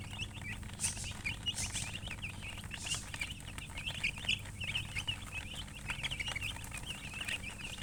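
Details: Chicks chirping in a crowded chorus: quick, thin, high peeps running on without a break, with a few brief hissy bursts and a low hum behind.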